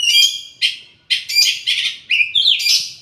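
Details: Oriental magpie-robin song made of quick bursts of high, rich notes: a whistled opening, then scratchy, buzzy phrases about every half second, and a rising whistled slur before a final bright burst.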